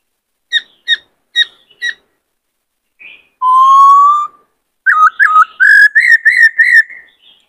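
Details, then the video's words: White-cheeked laughingthrush, likely a male, sings four short clipped notes, then a long, slowly rising clear whistle and a run of loud, warbling, looping phrases. "Khướu bạc má hót nhiều giọng hay"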